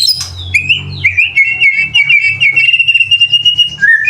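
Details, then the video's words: White-rumped shama (murai batu), a full song recording with isian fill material and tembakan bursts used to train young and adult birds. A long, warbling whistled trill holds steady at a high pitch, with a low hum beneath. "BURUNG MURAI BATU FULL ISIAN & TEMBAKAN"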